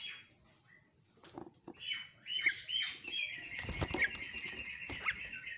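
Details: Javan myna calls used to provoke other mynas into calling: a run of short whistled and harsh chattering notes, some rising or falling, followed by a dense buzzy, rasping stretch with sharp clicks and bursts of noise.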